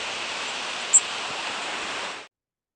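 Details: Blackpoll Warbler flight call, a "zeep" of the zeep complex: a single very high, thin, buzzy note, finer, higher and less loud than a Yellow Warbler's, over a steady hiss of rushing noise.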